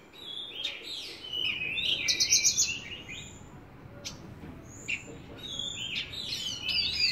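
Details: Javan bush lark singing gacor style, with a rapid rattling trill of high notes, scattered sharp ticks and sliding whistled phrases over faint background hiss.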